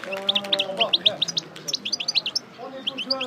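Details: European goldfinch, Parva type, coupleur singer after moult: a run of quick, evenly spaced high chirps, about a dozen in two seconds, then a short pause and a few more notes, with a low hum.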